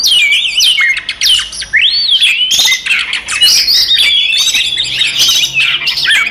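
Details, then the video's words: Oriental magpie-robin's provocative fighting song meant to rile rival birds: a dense, nonstop tumble of bright whistles, swoops and trills, with one long rising-falling whistle near the middle. "SUARA BURUNG kacer gacor TARUNG konslet paling AMPUH buat PANCINGAN KACER EMOSI"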